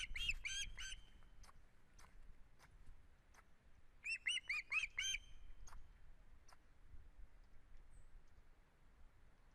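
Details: An osprey at its Estonian nest, 1 September 2016, utters two short bursts of clear whistled chirps, three and then five notes, amid scattered clicks and low background rumble.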